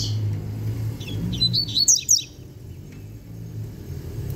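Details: Young novice double-collared seedeater singing a brief burst of high, tumbling chirped notes over a low vehicle rumble, then quiet.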